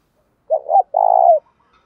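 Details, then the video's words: Decoy spotted dove cooing to lure wild rival doves back for a fight: a single low phrase of two quick hooting notes followed by a drawn-out, throaty coo. "chim cu gáy thúc và gáy gọi bổi nghe gáy liền"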